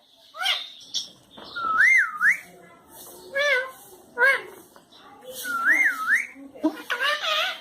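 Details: Pet talking parrot at home with people calling out in Hindi or Urdu: clear wavering whistled phrases twice, mixed with short speech-like squawks and human voices between them.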